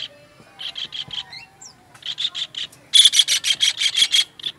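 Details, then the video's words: Kingfisher, used as a master recording for songbird training, giving bursts of harsh, buzzy notes, first softer groups of three or four, then a louder rapid series of about ten rasping calls. "MASTERAN TENGKEK UDANG"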